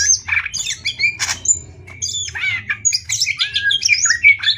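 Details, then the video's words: Singing contest between greater green leafbirds from Banyuwangi and Kalimantan: harsh squawky bursts mixed with bright whistles and chirps, irregular and busy, over a steady low hum. "Cucak Ijo Adu Tembak ngetrek!!! Banyuwangi vs kalimantan"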